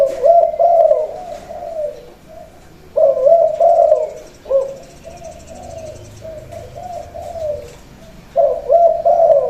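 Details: Male Spotted Dove kept as a ground-trained decoy sings the khan yon coo before shipping: mellow, throaty coo phrases at the start, around three seconds and near the end, with quieter trailing coos in the gaps.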